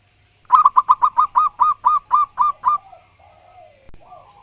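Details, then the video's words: Wild local zebra dove in full, loud song: about ten rapid, rolling coo notes that slow slightly toward the end, then trail off into softer, drawn-out lower murmurs. "Burung perkutut lokal alam gacor dor suara keras & lantang"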